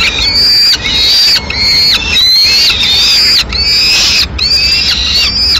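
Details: Female peregrine falcon arrives at a Madrid nest with the remains of a pigeon in mid-morning; loud, harsh, arched wailing calls, each about half a second to a second long, repeated almost without pause.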